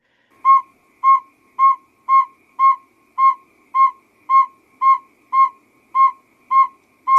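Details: Northern saw-whet owl (Aegolius acadicus) male courtship call played from a speaker as a lure to draw migrating owls to banding nets at night: a steady series of clear, mellow whistled toots on one pitch, about two per second.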